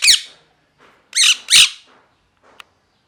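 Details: Three loud, grating parrot squawks, one alone and then a closely spaced pair, with faint scratching and a brief click afterward.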